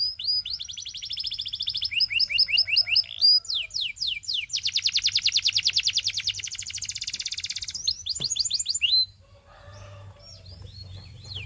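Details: Belgian canary singing a tutor song for teaching young canaries. It opens with rapid high chirped trills, then descending swept notes, a long even buzzy rolling trill, and sharp slurred notes. It ends with softer, quieter twittering.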